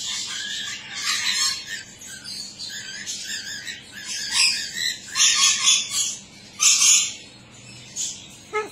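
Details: A captive Blue-and-yellow macaw at Norlane, Victoria, practising talking, gives several loud, harsh, raspy outbursts in quick succession over a few seconds, with faint background hiss.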